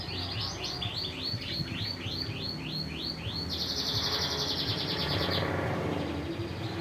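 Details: Canary singing a run of rapid repeated rising whistles, then a dense buzzy trill lasting about two seconds, over a continuous low mechanical hum.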